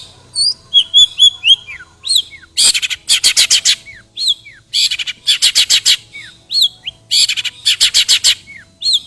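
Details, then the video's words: Long-tailed shrike, song filled with copied sparrow fighting calls, meant to set other shrikes singing: down-slurred whistles alternate with dense clusters of scratchy notes in rapid rows, roughly every two seconds. "CENDET ISIAN GANAS Pancingan Ampuh Burung Trotol Gacor"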